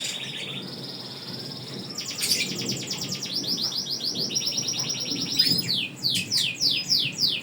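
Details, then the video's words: Canary singing with long breath; rapid trilled rolls of high notes held for seconds at a time, shifting between steady trills and fast descending buzzy phrases, over faint background hiss. "Kenari gacor napas panjang"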